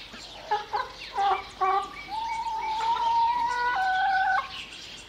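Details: Domestic hens give a quick run of short, choppy clucks, then one long, steady, nasal drawn-out call that steps up in pitch before stopping abruptly.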